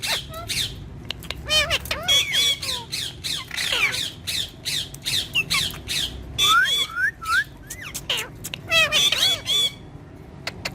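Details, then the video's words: Pet green ringneck talking parrot squawking and chattering indoors: bursts of shrill, harmonic calls and clicks every second or two, some with high whistled glides, across eleven seconds. "Green Ringneck Talking Parrot"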